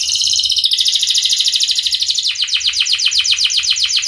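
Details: Canary in full Cengkok Mewah song, used as a lure to teach young or silent canaries: a bright, dense buzzy trill gives way to rapid sweeping chirps repeated about three times per second.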